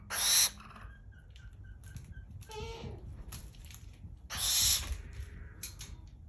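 Barn owl giving two harsh, hissing screeches about four seconds apart, each roughly half a second long, with faint softer chirps in between.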